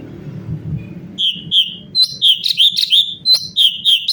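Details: Cucak cungkok bulbul in vigorous natural song, recorded as a tutor track for training other songbirds: after a second of low rumble, a series of short, bright whistled notes repeated about three times a second, each slightly slurred.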